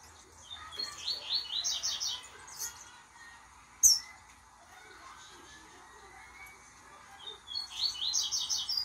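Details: A two-month-old blue-black grassquit chick, just starting to sing, practises a quiet, rambling song of high, scratchy twitters in two bursts, with a single sharp click between them.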